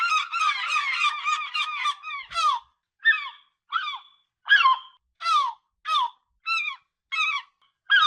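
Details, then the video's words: Real recording of a gull: opens with a fast, excited run of yelping notes, then settles into spaced, strident cries. Each slides downward and repeats roughly every 0.6 seconds. Quiet surroundings. "SOM DE GAIVOTA"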